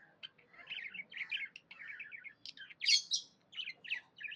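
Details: Happy budgerigar warbling in quick trilled chirrups and buzzy phrases, building to a loud squealing chirp before short bouncy notes resume; a faint low murmur sits underneath.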